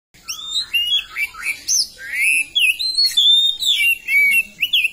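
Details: Oriental magpie-robin in full, lively song, a fast flow of clear whistled notes that slide up and down, some slurred and some sharp, phrases following each other almost without pause.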